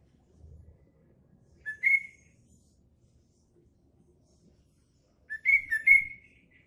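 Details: Caged-style green leafbird song mimicking trucuk phrases: one brief whistled note, a long pause, then a quick burst of three clear whistled phrases near the end, over faint low background rumble.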